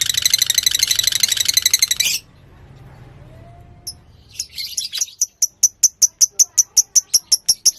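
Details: Fighter lovebird used as a singing lure for another lovebird. Two seconds of dense, shrill chatter, then near silence, followed by a few scattered notes and a regular series of sharp, high ticks about twice per second.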